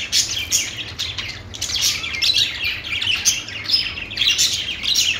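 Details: Parakeet chirping: steady, lively warble of scratchy twitters and squeaks, with sharp louder notes scattered through a constant chatter.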